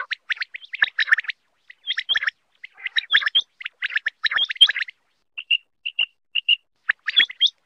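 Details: Female common quail used to lure birds for hunting: crowded runs of short chirping notes, then a series of evenly spaced clear whistled notes, then more chirping.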